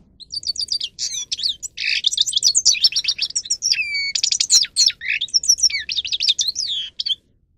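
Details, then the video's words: Fast, unbroken goldfinch song from a grey-crowned goldfinch used for training: high liquid twitters, quick downslurred whistles and short buzzy rattles packed together for about seven seconds. "(Carduelis caniceps) Goldfinch song Best for training"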